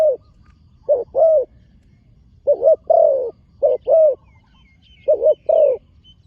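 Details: Spotted dove, a young bird trained for competition and set down on the dirt ground for the first time, repeating paired mellow coos in four short phrases, with faint high chirps from other birds in the background.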